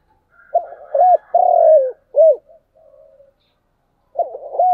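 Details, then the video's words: Spotted dove cooing in the chiêu and thúc styles: a stuttered opening, a clipped coo, a long drawn coo that falls at the end, then a short coo. A soft murmur follows, and a new phrase begins near the end. "Tiếng cu gáy chiêu và thúc hay"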